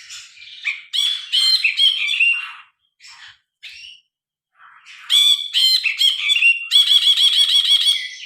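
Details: Grey-cheeked bulbul singing vigorously, recorded on a phone with original sound, its voice loud and varied: harsh buzzy phrases, a pause with scattered short notes, then long rapid rattling trills of repeated chattering notes.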